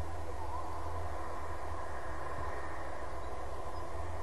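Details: A constant low rumble like passing rail traffic fills the recording, with a steady hum and no clear calls above it.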